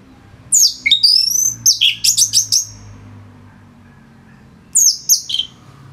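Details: Orange-headed thrush (Geokichla citrina) singing as a training/master recording for other birds: a rapid burst of high, sweeping whistles and quick chips, a pause, then a shorter phrase over a faint low hum.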